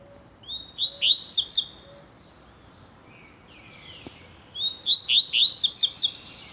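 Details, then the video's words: A coleiro, or Double-collared seedeater, sings its 'tui tui' song twice: a soft upslurred whistle leads into a rapid series of sharp, clear, downward-sweeping notes, with a faint low hum and a click between phrases. "COLEIRO TUI TUI"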